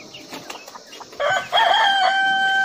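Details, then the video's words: A rooster crows: after quiet rustling, a short rising note leads into a loud, sustained, even-pitched crow with a slight wobble at its start. "rooster sound/rooster crowing/rooster song"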